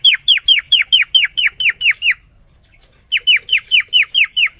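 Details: Cockatiel (quarrion) male, caged, courting a newly introduced female: crisp downward-slurred whistles repeated about five per second in a run of ten, a silent gap, then another matching run.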